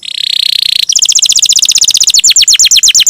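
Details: Canary with a long roll used to tutor songbirds: a dense buzzy note, then a rapid rolling series of high chirping notes that slows slightly toward the end.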